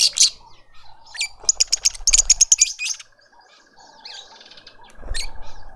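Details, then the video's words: A lovebird family feeds its juvenile in a suburban Pretoria garden, South Africa. Rapid trains of high, piercing chirps come in quick bursts, then fade to softer twitters, with a steady faint tone in the background. "Lovebird family feeding a juvenile"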